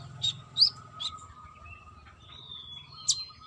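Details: Lively female brown-throated sunbird calling a male: three quick high chirps, then a thin drawn-out whistle sliding slightly, and a final sharp chirp, over a faint constant hum.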